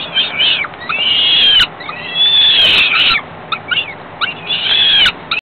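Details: Chicks of a falcon begging as the female feeds them a few hours after ringing: long drawn-out rasping screams, some rising and then falling, with short pauses and a few clicks.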